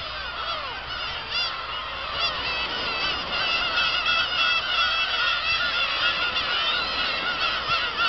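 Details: Black-tailed gulls at Kabushima, Japan, on 2 August 2012, after fireworks. Many birds call at once, a dense, unbroken chorus of nasal, wavering mewing cries that overlap steadily throughout, with no other clear sounds.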